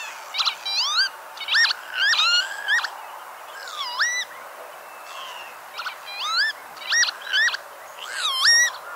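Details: Northern lapwing, a species red-listed as critically endangered in Norway, giving a rapid series of wheezy, harmonic-rich calls that swoop up and then down, about a dozen in nine seconds, some clipped short, against a quiet background.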